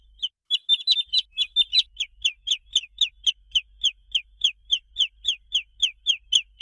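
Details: Peeping of a young domestic chicken. A steady series of short, high, downward-sliding peeps comes about three to four per second, with a brief overlapping burst of sharper chirps near the start, in otherwise quiet surroundings.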